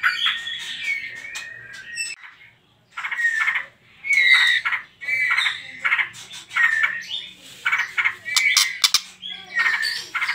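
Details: Trotol lure song of a white-rumped shama used to provoke other birds to sing: chattering phrases with whistled slurs, separated by short pauses, one near-silent gap early on.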